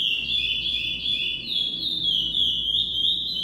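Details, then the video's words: A chestnut-bellied seed finch (curió) sings its classic song type: an unbroken run of high, clear whistles sliding up and down in quick flowing phrases over a faint low background hum. "Curió Clássico"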